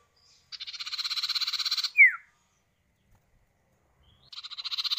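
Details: Common iora male and female answering each other: a long, even, buzzy rattling trill closed by one sharp falling whistle, quiet, then the rattle starting again.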